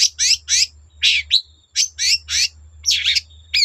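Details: Long-tailed shrike in full song, meant to provoke other shrikes into singing: harsh, scratchy chattering bursts repeated roughly every quarter second, with a faint steady high tone and low hum behind.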